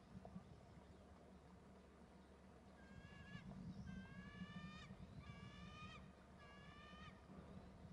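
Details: Pair of eagles perched together and calling: four bursts of quick, evenly spaced high piping notes, each burst about a second long with short gaps between, over a steady low-pitched background hum.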